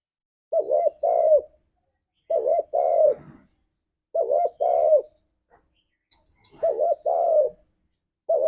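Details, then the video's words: Spotted dove, a lure for pet doves, in the forest-like 'ngalas' singing style: low hollow coos in paired phrases, a short double note and then a longer drawn-out coo, repeated about every two seconds, with no other sounds. "Suara Burung Tekukur Ini Pancingan Tekukur Gacor Suara Ngalas"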